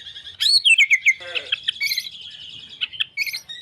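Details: Murai batu singing: a rich, varied run of bright whistled notes, sweeping down from high to lower, broken by a brief harsh burst and quick chips.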